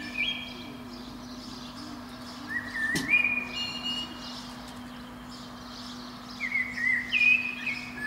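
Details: Spring-morning song of a Eurasian blackbird perched atop a pine below a window: mellow whistled phrases with pauses between them, one sharp click near the middle, and a constant low hum underneath.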